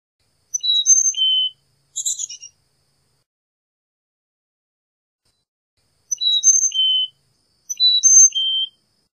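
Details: Carolina chickadee song: clear whistled notes stepping downward in pitch, three or four per phrase, repeated three times with a short buzzy chatter after the first; quiet otherwise.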